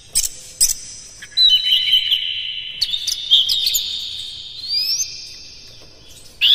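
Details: Oriental magpie-robin singing as a lure to excite other magpie-robins; opening sharp clicks lead into a sustained shimmering whistled phrase with fast trills and upward slurs, fading before a final chip.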